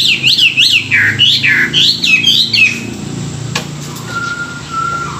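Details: Chinese hwamei singing in the morning during song training, a caged bird: loud rapid run of whistled up-and-down swooping notes about three per second, then quieter with a long faint steady whistle and a sharp click.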